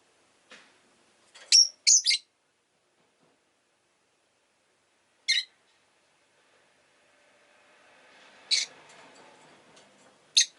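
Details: Domestic rosy-faced lovebird making sharp, brief, high chirps, a quick pair early then single notes spaced several seconds apart, with a low traffic rumble rising near the end.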